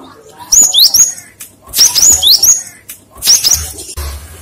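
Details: Cinereous tit singing as a lure for other birds: three short bursts of high, bright whistled note pairs, each burst about a second apart, with a quiet low hum beneath.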